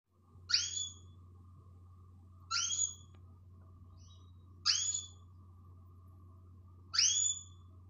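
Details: Female canary calling to excite males: four short bright notes, each a quick upward-sweeping whistle with a ringing overtone, spaced about two seconds apart, over a steady low electrical hum.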